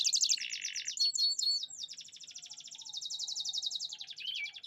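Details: Canary song mixing rapid high trills, a short buzzy note, then a long fast rattle-like trill and a final rising whistle.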